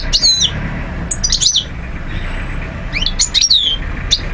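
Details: European goldfinch recorded in Algeria, 2012: scattered bursts of high twittering, slurred chirps and a downslurred whistle, with a steady low hum in the background.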